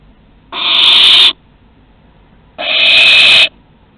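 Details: Rasping barn owl hisses at Théding, France, 2 September 2020, during a first flight from the nest and return. Two drawn-out breathy screeches of nearly a second each, two seconds apart, with quiet between.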